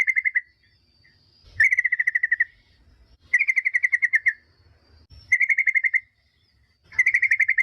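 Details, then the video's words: Yellow-vented bulbul lure song used to make other bulbuls answer: short bursts of about ten rapid, even chattering notes at mid-high pitch, each lasting under a second, repeated roughly every one and a half to two seconds, with faint low rumble between. "semua jenis burung trucukan dipastikan nyaut gacor dengar pancingan TRUCUKAN"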